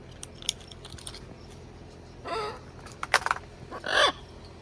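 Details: Pet military macaw outdoors after a shower gives a few harsh, raspy squawks spaced about a second apart, with faint clicks and handling sounds before them.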